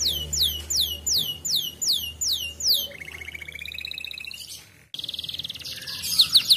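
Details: Griwik-style canary song, played to provoke other canaries into singing: sharp downslurred whistles repeated about three per second, then a lower rolling trill that fades, a brief break, and a dense high buzzy trill.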